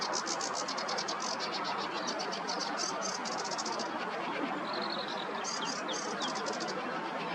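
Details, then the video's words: Barn swallow singing from a perch while resting during nest building, on the bank of the Nioman river in Hrodna, W Belarus, 11 May 2023: a fast, high twittering warble with a brief clear whistle midway, over steady hiss. "Barn swallow singing from the perch"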